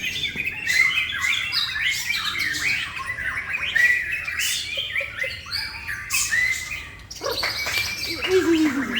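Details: Male white-rumped shama from Indonesia, kept as a songbird hobby bird, delivers a dense, fast run of varied whistles, chips and buzzy notes that shift quickly between high and middle pitches. A man talks briefly in the background.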